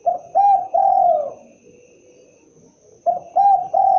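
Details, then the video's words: Spotted dove calling with low mellow coos: a short note, a second note, then a long wavering drawn-out coo, followed after a pause by the same phrase beginning again. "suara asli khas burung derkuku(Tekukur)"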